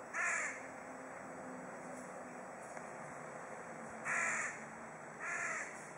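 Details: Crow calling toward another crow, Kaliningrad: one harsh caw, then a long pause, then two more raspy caws about a second apart, with faint background hiss.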